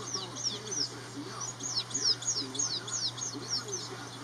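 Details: House sparrows, a pair building a nest, the male preening and showing off; rapid run of sharp, high, downward-sliding chirps, roughly three per second, over a steady low hum.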